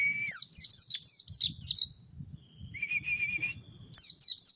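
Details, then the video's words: A mountain white-eye sings rapid, high, sweet notes that slur downward in quick bursts, with a thin steady whistle and a short trill between phrases. "Ngalas Pleci Montanus // White eye bird Singing"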